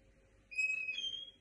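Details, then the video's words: Linnet × canary hybrid giving a "queja" (complaint) call: one clear, drawn-out whistled note stepping up in pitch halfway through, with faint low background hum. "Quejas del mixto pardillo"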